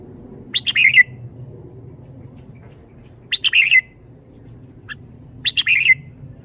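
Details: Lively caged red-whiskered bulbul repeating a short bubbly chirping phrase about every two and a half seconds, each phrase a rapid run of warbled notes, with a low background hum.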